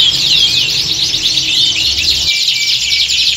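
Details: Canary flock song recorded to mimic a singing competition atmosphere and toughen birds for contests; continuous high chatter of overlapping trills and sweeping notes, with a few clear whistled tones toward the end over a low steady hum.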